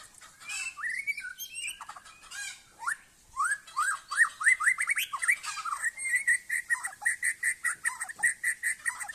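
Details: White-rumped shama of the Aceh type, singing in a yard in a display called kapal layar. Varied rich whistles and slurred rising notes open the song, followed by a rapid, steady run of sharp repeated notes at about four to five per second.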